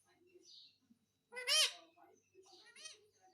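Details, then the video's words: Pet parrot talking and asking for roti: two loud, high, word-like bursts rich in harmonics, the first strong with a rise and fall, the second shorter and doubled, with faint soft murmurs between them. "मम्मी मिट्ठू को रोटी दो _ Parrot Talking Everything _ मिट्ठू की प्यारी बातें"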